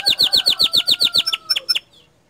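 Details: Canary song with an evenly repeated bright chirp, about eight per second, slowing into a few spaced notes before stopping.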